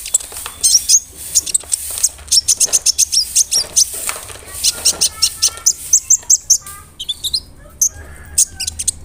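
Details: Brown-throated sunbird, a large-bodied bird singing nonstop to stir up other sunbirds: fast, insistent strings of very high, hard ticking notes, grouped in quick bursts across the whole passage, with a faint background hiss.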